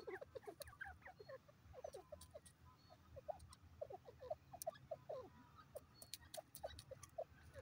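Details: Grey francolin calling in quick bursts of short, low, slurred clucks and chattering notes, with sharp clicks and a steady low rumble behind.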